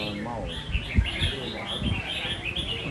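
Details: Several red-whiskered bulbuls sing at once in a singing-contest final held 14/08/22, overlapping in bright, bubbly, warbled phrases over a low crowd rumble and brief human voices.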